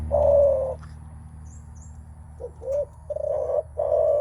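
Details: Spotted dove giving its menguku call on meeting a rival, a sound used when squaring up to test strength, mostly by males; low hoarse coos of varied length, long opening coo then shorter broken notes, faint high chirps behind.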